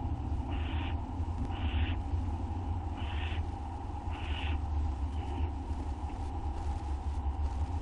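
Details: Owls during night-time feeding on a live camera, August 2011, while one brings a treat and others take it; five short rasping screeches come roughly one second apart above a constant low droning hum.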